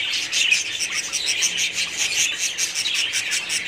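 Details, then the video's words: A colony of budgerigars chirping and warbling all at once, rapid high notes overlapping in a lively, unbroken chatter. "budgies parrots colony"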